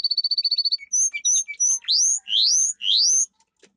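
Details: Domestic canary training song: a fast even trill of bright notes, then short chirps and several loud rising slurred whistles.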